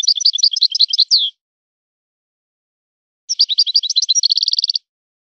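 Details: Trained-style song of a European goldfinch: a bright chattering phrase ending in a downslurred note, then after a pause a second phrase that runs into a rapid, even trill, with clean silence between.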